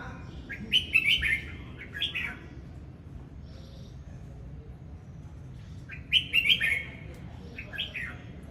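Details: Red-whiskered bulbul in display song, bubbly whistled phrases in pairs, a louder warble followed by a shorter one, the pattern returning after a few seconds of quiet hum.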